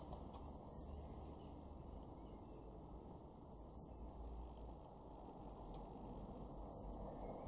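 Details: Garden blue tit at Weener, East Frisia, Germany, in March 2024, repeating a very high, thin three-note phrase about every three seconds, three times, against a low constant background hum.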